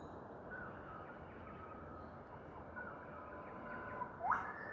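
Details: Eastern whipbird in Queensland, Australia: a faint, drawn-out whistle ends in a sharp, rising whip-crack near the end, over a steady low background hiss.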